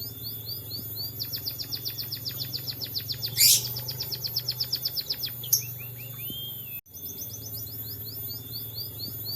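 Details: Munia singing steadily with canary-style song filling; rapid high chattering notes, roughly five per second, over two long runs split by a short pause, with a loud hissy burst midway and a constant low hum beneath.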